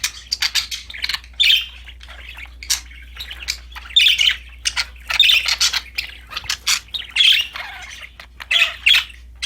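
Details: Happy pet budgies with a new toy keep up a busy stream of short rasping chirps and squawks, several per second, with fuller scratchy bursts among them and a low hum behind.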